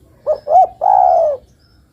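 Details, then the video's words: A female spotted dove calls for her mate. Two quick hollow coos lead into a longer, even coo that sinks slightly as it fades, all against near silence. "Suara burung derkuku betina memanggil jantan"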